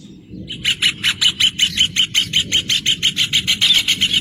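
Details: Rufous hornero singing a fast, even series of sharp, loud notes, about four per second, held for several seconds over a low rumble.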